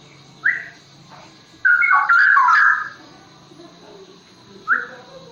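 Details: Straw-headed bulbul, a forest bird, in the ropel nggulung song style: a single loud, rich burst of tumbling whistled notes lasting about a second, framed by a few short upward whistles and quiet background hum.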